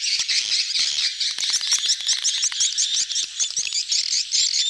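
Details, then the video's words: Crowded swiftlets in mating excitement, a gathering flock called betompok; dense high chittering and twittering with rapid buzzy trills, many birds calling over each other with no pause. "suara tarik walet ramai,kerumunan kawin / birahi "BETOMPOK""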